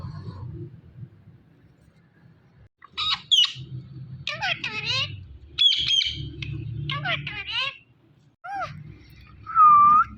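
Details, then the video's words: Indian ringneck parrot talking: bursts of harsh, speech-like squawked syllables between quiet gaps, ending in a loud, clear, dipping whistle. A low hum runs underneath. "Best Talking Ringneck Parrot"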